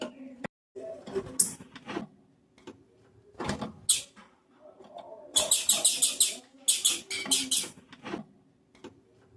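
A female blue-black grassquit gives thin, very high chips, some single and some in quick rattling runs, over a low steady hum.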